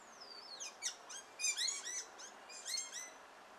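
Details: A male Carib grackle singing while courting his mate opens with a thin, falling whistle, then a quick run of sharp, squeaky, metallic chirps over about three seconds; no other sounds intrude.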